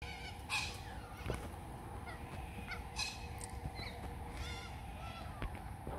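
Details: A large flock of corellas in the morning gives harsh, grating screeches in scattered bursts every few seconds over a steady low hum of background noise.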